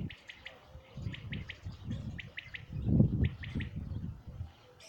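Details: Common quail song from 2019, a rapid triple-note phrase given over and over, roughly every second, above loud low rumbling and thumping noise.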